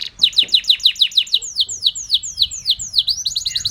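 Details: White canary, a champion singer, delivers a run of quick downward-sweeping whistled notes, about three per second. They slow slightly midway, then speed up into tighter rolling notes. The song is clear and loud over faint low background hum.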